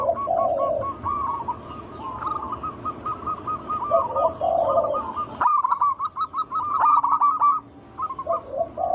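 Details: Local wild zebra dove song played to lure other doves into singing: long runs of quick bubbling coo notes, overlapping deeper cooing phrases, and a sharper burst of fast repeated notes midway.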